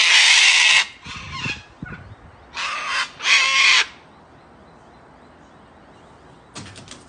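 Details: Wild cockatoos screaming while fighting give harsh, broadband screeches in bursts of about a second, several overlapping in quick succession, then a shorter squawk after a pause.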